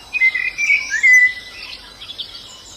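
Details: White-eye in the wild giving a short, bright whistled twitter, a thin sliding phrase with quick chirps at the end, over light background hiss.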